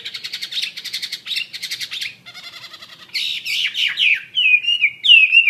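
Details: Actively singing wambi mandarin bird: rapid buzzy chattering bursts in quick series, then a softer rattling stretch and lively twittering, ending with drawn-out slurred whistles falling in pitch.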